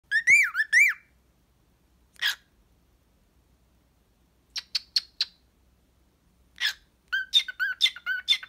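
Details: Cockatiel (Nymphicus hollandicus) singing nicely to its owner before getting distracted and running away: a string of bright warbled whistles, rising and falling, with harsher chirps between.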